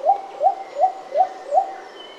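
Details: Little cuckoo-dove, a shy forest bird keeping to the shade, gives five soft upslurred whoop notes about every 0.4 seconds. The phrase fades at the end against a quiet background with a faint high insect hum.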